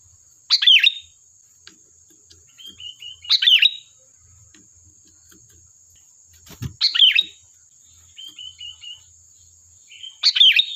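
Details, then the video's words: Sooty-headed bulbul in lively song intended to lure other bulbuls to answer: four bright, bubbling phrases roughly every three seconds, with short series of soft repeated notes between. A faint steady whine sits in the background. "Suara burung Kutilang Gacor || Ampuh untuk pancingan, dijamin nyaut"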